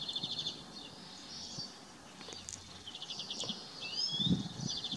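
Italian sparrow giving rapid runs of bright, chirpy notes in short bursts, with a few thin whistled notes, over a low rumble of background noise.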